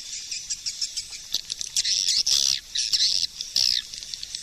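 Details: Swiftlet calling sound, the suara panggil type from 2020: bursts of high, buzzy chittering come in irregular clusters, some short and clipped, others drawn out into harsh rasping trills.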